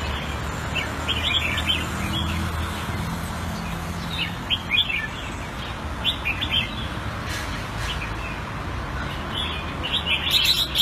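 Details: Caged red-whiskered bulbul kept Thai style in Singapore, February 2018: short bright warbled phrases of quick chirpy notes, repeated at an irregular pace over a steady low hum of background noise.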